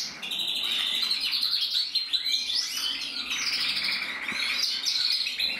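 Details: Red mosaic agate canary male, recorded 1 November 2024, delivers a long varied song of high rolling trills, slurred sweeps and rapid chirp series without a pause, with one faint click partway through.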